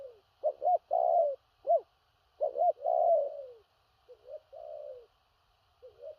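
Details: Spotted dove in the "thổ rặc" style, with far-carrying and stammering coos. Loud, clear phrases of two or three short upswept notes, then a long descending coo, recur several times, ending with softer partial phrases.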